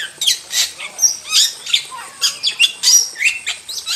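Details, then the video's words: Wild starling in energetic, nonstop jalak singing, a rapid run of high squeaky notes, sliding whistles and rising and falling chirps packed closely together, with a bright upward sweep near the middle. "Masteran Jalak Super Gacor – Ultimate Wild Starling Sound Effect"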